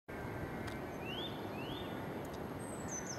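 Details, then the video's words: Nuthatch calling: two clear rising whistled notes about half a second apart, with thin descending notes from another bird higher up and a steady low rumble of background noise throughout. "Nuthatch calling"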